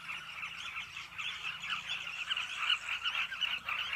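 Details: A cliff breeding colony of Carmine bee-eaters, many birds calling together in an unbroken, busy babble of rough, throaty notes, swelling slightly louder toward the end.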